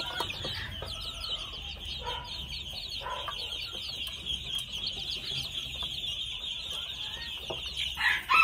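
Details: Red junglefowl chicks aged two months peep continuously in high, fast chirps, broken by short, lower, hoarse notes around the second and third seconds and a louder squawk at the close, over a steady drone.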